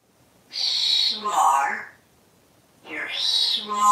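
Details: Pet parrot speaking indoors beside a plush parrot toy it cuddles and kisses: two drawn-out, buzzy, voice-like phrases with shifting pitch, separated by a short silence.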